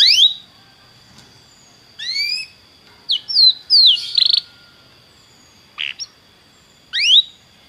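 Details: Belgian canary singing in short separated phrases: bright rising and falling whistled sweeps and a brief buzzy burst, with quiet pauses between, over a steady high thin tone.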